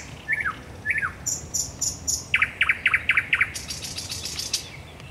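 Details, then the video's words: A common nightingale sings at night at the Raszyn Ponds, 10 May 2021: two falling slurred notes, four high piping notes, five loud rising strokes, then a dense buzzy high trill. "Nocny śpiew słowika rdzawego"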